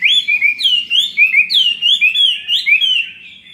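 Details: Chinese hwamei in a cage for two years, delivering its fighting song: a fast string of pure, looping whistles that rise then fall, about four notes per second, and fading at the end.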